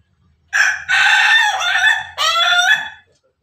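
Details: A Pelung chicken gives one crow of about two and a half seconds: a strong harmonic start, a brief dip, then a falling final phrase, over a faint low background hum.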